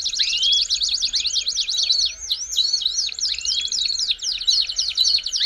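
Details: Belgian canary in full song, played to warm up canaries: dense, fast, buzzy rolling phrases at high pitch, steady throughout with brief looping whistles woven between the rolls.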